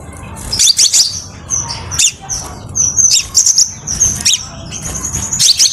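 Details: Crimson sunbird song, clear-voiced, played as a training and lure model for songbirds: high, thin, sharp chirps and brief whistled notes in quick bursts about every second, with a steady low hum underneath.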